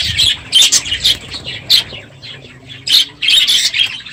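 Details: Morning calls from a crowded aviary of budgerigars late in the breeding season: loud harsh squawks in separate bursts with short quieter gaps of chatter between.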